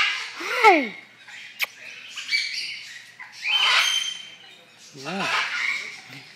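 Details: Hyacinth macaw kept as a pet, greeting its owner: a falling croaky squawk, then softer voice-like sounds and a short wavering call near the end, in a quiet room.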